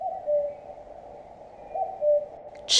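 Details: Common cuckoo (Cuculus canorus), call.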